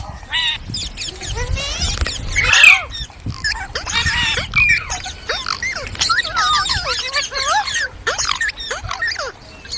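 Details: Ringneck parrot chattering and singing: bursts of rapid squeals and bent whistles separated by short pauses, ending in a string of falling looping notes.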